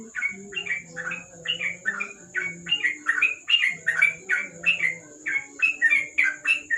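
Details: Nighttime ropel singing by a yellow-vented bulbul (trucuk) under a lamp: a long, busy stream of sharp chirps and twittery notes, roughly two to three per second, with a low hum and a high whine behind.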